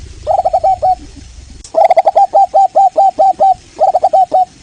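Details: Zebra dove, local Indonesian perkutut variety, song used as a lure to prompt other birds to answer: quick, clear cooing notes, a short run, then a longer rhythmic series of ringing hooked coos and a final quick group.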